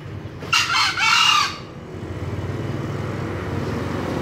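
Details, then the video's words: Green junglefowl gives one brief crow of two quick, rasping notes, the second slightly longer and falling, over a constant low-pitched background hum. "ayam hutan hijau berkokok"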